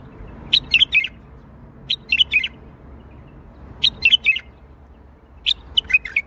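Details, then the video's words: Baghdadi-style bulbul song made of short, bright, bubbling phrases of three or four quick notes. The phrases repeat about every one and a half seconds against faint low hum. "تغريد بلبل طور بغدادي"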